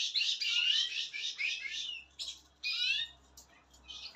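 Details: Young Spanish Timbrado canary bred in 2023 singing indoors: bright rolling trills and chattering phrases, broken by short pauses, with a faint low hum underneath.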